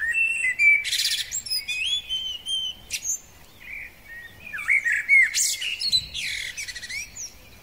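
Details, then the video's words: Common blackbird male, spring: fluted whistled phrases alternate with sharp high squeaks and twitters, the song coming in two separate bursts. "Kos samiec, piękny wiosenny śpiew."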